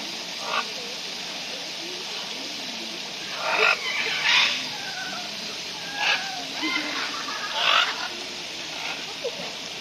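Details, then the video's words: Macaws at a bird park in Foz do Iguaçu, Brazil: scattered harsh, raspy squawks, some in quick pairs, spread over several seconds above a constant background hiss. "Araras no Parque das Aves"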